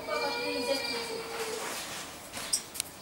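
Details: Common starling (Sturnus vulgaris), 26 May 2016, giving a drawn-out, nasal, slightly falling note lasting over a second, followed by two sharp clicking sounds.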